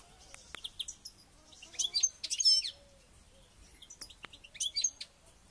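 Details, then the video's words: Goldfinch being trained ahead of a local goldfinch championship, singing high rapid tinkling twitters and buzzy trills in short bursts, with quieter clicks and faint background noise between phrases. "Goldfinch trainning"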